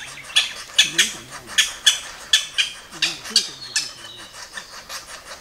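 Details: Japanese green woodpecker giving a run of sharp, high calls, about ten of them spaced roughly half a second apart and fading toward the end, with a low murmur of voices underneath.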